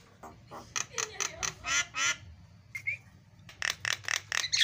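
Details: Javan myna in 'isian' song, used as a lure to set other birds singing: a string of rough, spaced bursts, one short clear whistled double note near the middle, then more rapid harsh notes.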